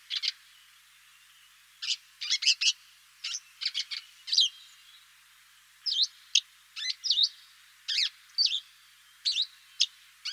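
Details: Eurasian crag martin giving short, dry chirps and twittering notes in loose irregular clusters, some sliding up or down, separated by pauses of a second or more.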